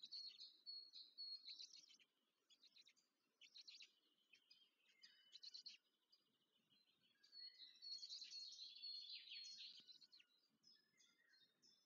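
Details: Black stork (Ciconia nigra) chicks at the nest being fed, Łódź region, Poland, 14 May 2023: bursts of high, squeaky, wheezing chatter that rise and fall in clusters, separated by short quieter gaps.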